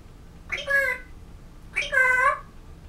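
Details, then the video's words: African grey parrot, a pet, practicing speech in November 2011, produces two clear vowel-like, harmonic syllables about a second apart, smooth and slightly falling in pitch, in a quiet indoor setting. "African Grey Parrot - Talking"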